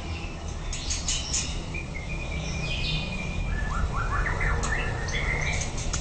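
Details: White-rumped shama singing during training: scattered thin whistles and short sliding notes, then a quick run of rising chirps midway, partly buried under a constant loud low rumble and hiss.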